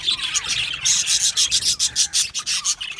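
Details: Budgerigar colony in an aviary, happy and chirping: bright, rapid pulses of scratchy high twittering, about three bursts per second, overlapping from many birds.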